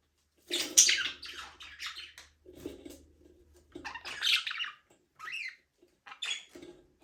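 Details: Small-aviary budgerigars at play: a warbling mix of buzzy chirps, squeaks and lower chattering notes, uneven in rhythm, with brief pauses.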